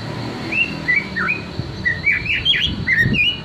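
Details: White-rumped shama, young wild-caught and post-juvenile birds, used to prompt them into full, loud singing: a series of short clear whistled notes, some rising and some falling, spaced irregularly, with low background rumble.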